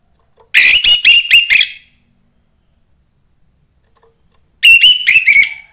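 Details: Two bursts of rapid, slightly buzzy whistled notes about four seconds apart, sung by a young orange-headed thrush from the forest, otherwise quiet.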